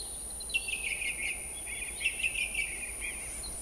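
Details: Song thrush in song at Montbéliard, France, in late winter 2024: a quick series of short, repeated chirping notes in a middle-high register, delivered in a rapid run, with soft background hiss.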